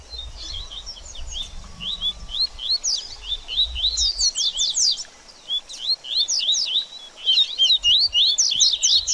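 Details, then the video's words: Double-collared seedeater baderninha song for a bird after moult: spaced high chirps building into rapid bursts of steep downslurred notes, with a short pause midway and faint low rumble early on. "BADERNINHA DE COLEIRO Top Pra Esquentar Seu Coleiro Pós Muda De Penas!!!"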